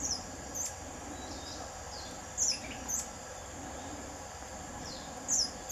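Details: Buff-bellied hermit giving very high, thin, squeaky notes, each a brief descending slur, heard in short clusters roughly every two to three seconds over a steady hiss of background insects and low rumble.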